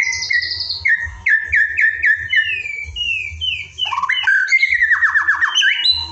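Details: Kept white-rumped shama singing isian filler material: a run of clear downslurred whistles about four per second, followed by rapid twittering phrases and fast descending notes, against a faint steady hum.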